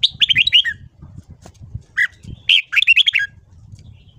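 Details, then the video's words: Morning song of a red-whiskered bulbul in voice training, two rapid runs of tumbling warbled notes with a single sharp note between them, low rumbling noise underneath. "Luyện giọng chào mào hót sáng. Kích ché kích thích bổi giọng dài."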